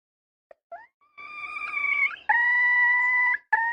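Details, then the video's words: Junglefowl hen: faint opening squeaks, then a steady drawn-out tonal call that slides upward, followed by a louder, flat, sustained note and a final clipped start. "Poj qaib seev zoo heev li _ສຽງໄກ່ປ່າ . ไก่ป่า"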